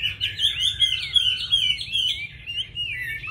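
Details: Chinese hwamei giving a short burst of fluent, liquid warbling, rapid connected whistles wavering up and down, ending in a lower note, over a low hum.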